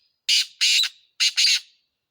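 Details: Two pairs of loud, rasping, buzzy notes from a black francolin, each pair quick and clipped, separated by a short gap, in an otherwise silent setting.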